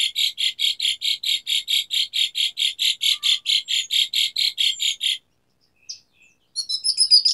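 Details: Asian pied starling song for prompting silent birds: about twenty-five rapid, evenly repeated scratchy notes over five seconds, a short pause, then a burst of high chatter.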